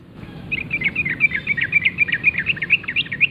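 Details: Wild yellow-vented bulbul singing energetically in the forest in the morning: a rapid, even run of short bright chirps repeated about four per second for nearly three seconds, with low rumbling background noise.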